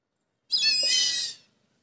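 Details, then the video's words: Kite sitting and eating on the ground gives one loud, high, harsh whistled call lasting under a second. The tone is quavering and rich in overtones, with silence before and after. "Call of Kite bird"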